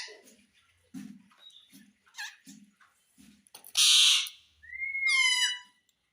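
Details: Talking Indian ringneck parakeet, said to say mummy and papa; soft low chatter and ticks, then a burst of harsh noisy screech and a shrill rising call ending in a quick downward slur.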